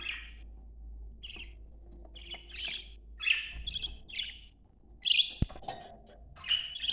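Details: Male and female budgerigars vocalising to stimulate mating: a run of short, bright, scratchy chirps and squawky warble notes, roughly two per second, with a sharp click midway and low background rumble.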